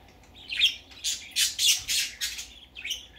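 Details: Young budgerigar out for its first time, giving a burst of harsh, scratchy squawks and chirps in rapid succession, several notes within three seconds, in a quiet indoor setting.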